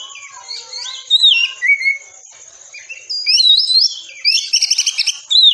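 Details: Oriental magpie-robin singing a dense 'tembakan rapat' masteran for training caged birds: low twittering, then looping whistled slurs, a quiet gap, and a closing run of rapid buzzy trills and a sharp whistle.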